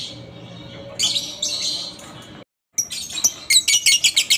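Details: Lovebird ngekek chatter used as a lure to set other lovebirds singing: a harsh, scratchy high burst, a brief cut to silence, then rapid shrill clicking notes that quicken into a run of sharp, evenly spaced chirps.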